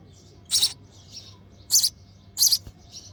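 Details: Baby sparrow chirping for its mother at the nest during feeding; three loud, high, raspy chirps spaced irregularly, with softer thin calls in between.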